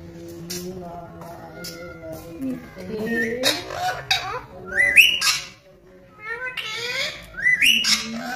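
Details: Caged green ringneck parrot talking, giving harsh rising speech-like phrases and whistled notes in short bursts, with background music.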